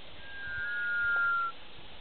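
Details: Sunbittern on a birding tour in the Pantanal, Brazil, one of three, calling to another while two displayed at a river's edge; a single thin, steady whistle about one second long, dipping slightly at its end, over soft background hiss.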